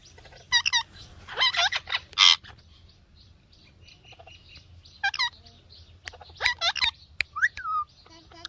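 A rose-ringed parakeet gives harsh, rasping chirps in quick bursts of two to four, then a clear whistled note that rises and falls, over a faint low hum.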